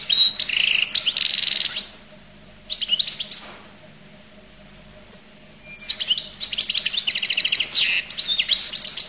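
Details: Goldfinch from Collo singing a bright, high twittering song in quick bursts with buzzy trilled phrases, broken by a pause of several seconds before another long jangling run of notes; a faint steady hum underneath.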